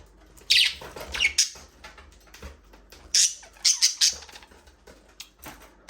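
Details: Budgies chattering in an aviary while talking, singing and playing: loud, bright, squeaky chirps come in clustered bursts, with separate short high notes in between, over a quiet background.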